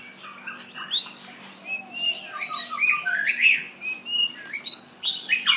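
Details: Shama song of rich, tumbling phrases mixing slurred whistles, chattering notes and higher squeaks, delivered in quick bursts with brief pauses, over a constant low electrical hum.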